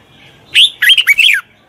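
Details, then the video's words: A red-whiskered bulbul sings to help train a wild-caught bird: a single rich phrase of about one second, with several fast, warbling notes sliding down in pitch at the end. "Tiếng chào mào luyện giọng chim bổi. นกปรอดหัวโขน"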